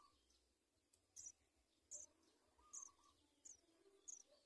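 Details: House sparrow chicks at the nest begging for food: faint, short, high chirps, about six in four and a half seconds, each roughly 0.7 seconds apart, over a low steady background hum.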